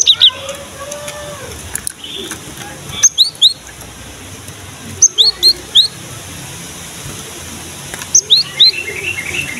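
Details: Cinereous tit (gelatik batu) in full song, used as a lure to make young birds sing: bursts of sharp, high, clipped notes repeated in quick groups of three or four, with pauses of about two seconds between bursts.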